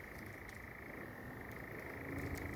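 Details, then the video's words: European nightjar churring at night in Sherwood Forest: a continuous, rapid, even mechanical trill running unbroken through the clip, over background hiss and faint low rumble. "And it's a call that really sounds most unbirdlike to be honest,"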